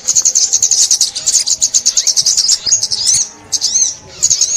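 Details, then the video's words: High-pitched sunbird song recorded for bird trapping: a fast run of sharp chips about five per second, then looping slurred whistles and short gaps near the end. "Tiếng Chim Ốc Mít"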